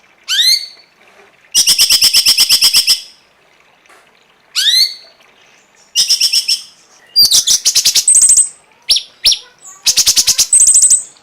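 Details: Cungkok song on a songbird tutor recording: loud, sharp upward-swept whistles alternating with extended rapid rattles and short high chattering bursts, delivered in quick succession.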